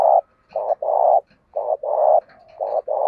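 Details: Spotted dove kept as a decoy bird with a fine, well-structured cooing voice, used to stimulate other doves. Low hollow coos come in a repeated phrase of short and longer notes with brief pauses between them.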